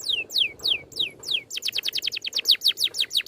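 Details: Oriental magpie-robin training song, 'ngerol' style with neat 'tembakan' shots: several slow, loud downslurred whistles, then a rapid, rhythmic series of short falling notes.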